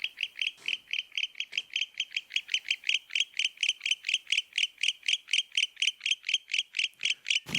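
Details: Barn owl giving its second call type, a fast, steady run of sharp, high clicks, about four each second, for nearly eight seconds; a low thump sounds at the very end.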